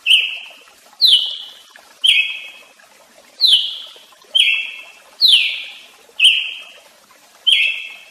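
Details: Brazilian tanager (tiê-sangue) delivering eight loud, ringing notes about a second apart, alternating flat clipped notes with ones that start higher and slide down, in a quiet setting.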